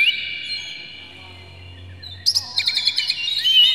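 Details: Oriental magpie-robin harsh lure material: a long steady whistled tone for two seconds, then an abrupt burst of rapid sharp chirps and rising whistles, with a low hum throughout.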